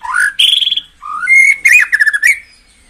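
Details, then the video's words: White-rumped shama in full song, played to stir caged birds into peak form: rising fluted whistles, a buzzy trill, then a fast stuttering run of notes fading to a thin whistle. "tiếng chích chòe lửa hót dùng kích chim căng lửa hiệu quả"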